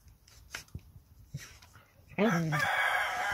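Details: Very young rooster in a henhouse at nightfall: faint scattered clucks and rustling, then a loud, harmonically rich crow bursts in two-thirds through and holds steady to the end.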